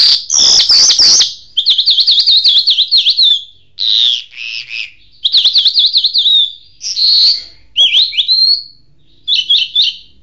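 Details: Jal bird in full mashadi singing: high, loud phrases of rapid trilled and zigzagging warbled notes, broken by brief pauses, with bursts of harsh chattering at the start.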